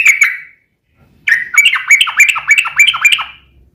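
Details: Yellow-vented bulbul rapid song meant to draw answering song from other bulbuls: two quick notes, a pause, then a lively series of bright rising-and-falling gurgled notes.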